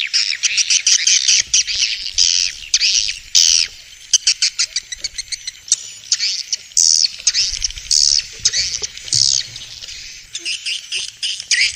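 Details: Vietnamese swiftlet sounds meant to attract swiftlets to bird houses: bursts of buzzy chattering alternate with rapid dry clicks and short gaps, the calls stuttering and uneven throughout.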